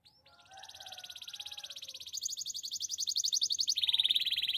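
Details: Training song of a Belgian canary: one long rapid high trill that grows steadily louder and shifts upward partway through, a continuous rolling tour.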